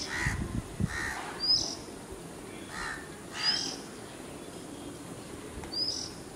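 House crow giving about four harsh, raspy caws in pairs. A thin, high whistled note from another bird repeats every two seconds over low background rumble.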